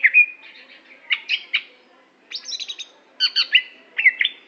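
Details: Greater green leafbird of the Aceh type, a competition bird, singing loud whistled phrases mixed with clusters of fast, harsh chattering notes in four separate bursts.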